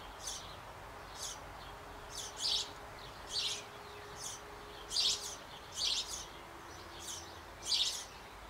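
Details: Sparrow family at a birdhouse on an old apple tree in Bavaria, nestlings about to fledge and being fed by both parents; high, harsh chirping bursts repeat roughly once a second, with some louder, over background hiss.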